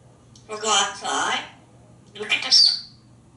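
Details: African grey parrot, a talkative pet hatched in 1997 living indoors in Texas, perched on a shower and playing an "I'm gonna get you" game with its owners; two bursts of harmonic, speech-like squawky talking with bright high overtones.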